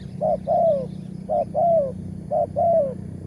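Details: Spotted dove, the wild target bird with a big 'tarik akar' voice, heard on a morning bird-luring trip. Three two-part coos: a short low note, then a longer note that slides downward. The pairs repeat about once a second over a steady low hum.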